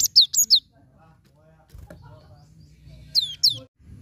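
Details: Cinereous tit phrase used to prompt a silent bird to sing: three piercing descending whistles, a pause with faint low rumble and murmuring, then two more sharp falling notes.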